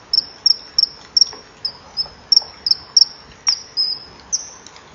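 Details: Evening scene at a kingfisher breeding wall, 24 July 2015: the female repels a begging juvenile as the male arrives, later mating. Sharp, high 'tsee' notes repeat roughly three times a second, steady and piercing, with a few softer clicks.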